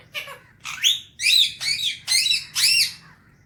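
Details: Alexandrine parakeet kept as a talking pet, enjoying the morning: six loud harsh squawks in quick succession, each with a rising-falling arched tone, roughly two per second, in a quiet room.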